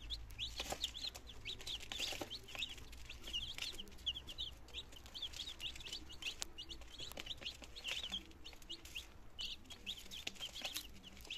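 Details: Nineteen chicken chicks, two days old, recorded in Germany on 17 September 2022 as they begin eating and drinking; continuous high, sliding peeps from many birds, with frequent sharp pecking clicks and a low background hum.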